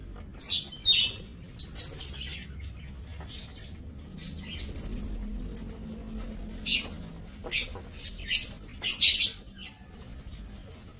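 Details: Lovebirds kept in an aviary, recorded 7 June 2024: a series of short, sharp high-pitched chirps and squeaks in scattered bursts, some doubled, over a low background hum.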